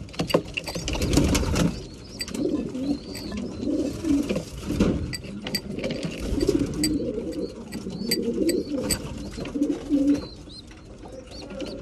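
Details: Mealtime among breeding pigeons, with soft overlapping coos from several birds, frequent clicks and taps of pecking, and faint high chirps.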